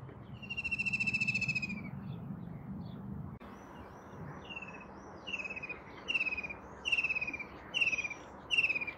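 White-throated kingfisher giving a long, shrill, descending rattling trill, then a run of shorter, falling whinnying notes about once a second over a low background hiss.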